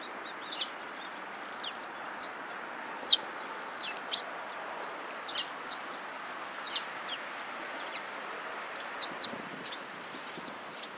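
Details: Sparrows flocking to feed at a Tenmangu shrine on 24 March 2017. They give scattered high, thin chirps, sometimes in quick pairs, about two dozen a minute, against constant broadband background noise.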